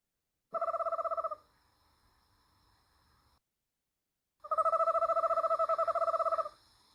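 Eastern Screech-Owl giving two steady, rapid, low-pitched trills on a single pitch. The first is short and the second lasts about two seconds, with a quiet room behind them.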